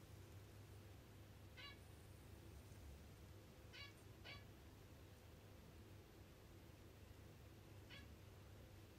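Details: Zebra finch kept as a pet, food stuck to its beak while it seeks a massage; four brief nasal, stacked calls come at irregular intervals, two close together mid-clip, over a constant low indoor hum.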